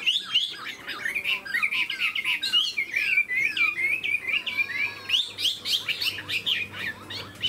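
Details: Tame cage-kept Chinese hwamei showing a fanned tail and eagle-like wing play delivers fast, dense song: rapid strings of high, bright whistles tumbling over one another with barely a pause.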